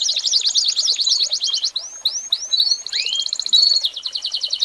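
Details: American Singer canary, a tutor recording for teaching young birds, singing a fast high song: rapid buzzy trills, then a few rising whistled swoops, then more dense rattling trills, with no other sounds.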